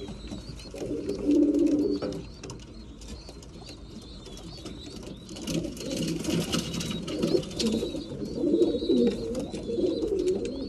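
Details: Breeding pigeons at mealtime, low murmuring coos in irregular bursts around two seconds and again from six seconds on, with faint high chirps and clattering in the background.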